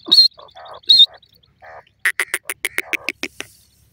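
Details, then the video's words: Partridge call heard while a female pheasant sitting on a cage is surprised: two short, high whistled notes, some lower murmuring notes, then a quick run of about ten sharp, harsh notes that ends abruptly. "partridge voice"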